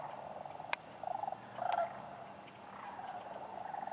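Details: A wintering sandhill crane flock at Wheeler Wildlife Refuge, Decatur, January 12, 2013, with other waterfowl: soft purring trills from the crowd, one short clearer rolling call midway, and a sharp click near the start.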